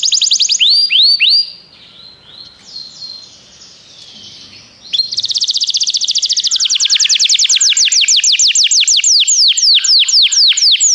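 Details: Singing canary, played so a canary will join in: a few swooping notes, a quiet stretch of soft warbling, then a loud fast trill of descending notes lasting several seconds.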